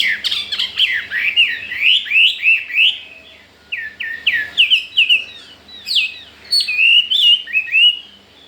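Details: Newly acquired Chinese hwamei, keen to breed, sings a rich stream of rapid slurred whistles, each note sweeping up and down, grouped in bursts of several notes with short gaps between them.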